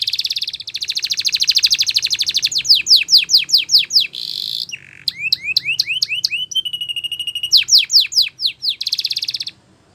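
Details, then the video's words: Spanish Timbrado canary singing for training: a long dense buzzy trill, rapid slurred sweeps, a brief pause, sharp upswept notes, a thin steady whistle, more sweeps and a closing rattle. "Canary Singing Champion !! Spanish Timbrado Song"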